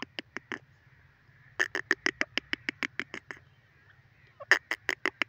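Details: Francolin calling in a forest: bursts of harsh, rapid, clipped notes in quick series, one short run, a longer stuttering run of about a dozen notes, then a final loud burst, over a low steady hum.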